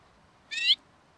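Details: A lesser redpoll at a bird hide in Emmen, Netherlands, gives one short, rising, slightly buzzy note against a quiet background.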